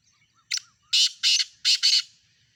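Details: Male-type black francolin call of five harsh rasping notes, a brief opener then two paired groups of broad buzzy bursts, clean and loud against a quiet background.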